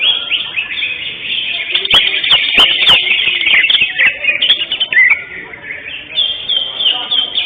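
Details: Greater green leafbird, the first-place winner at a songbird competition gathering held 11 October 2025; a dense, fast, high twittering and warbling song of rapid slurred notes, continuous throughout, with sharp clicks and faint voices behind.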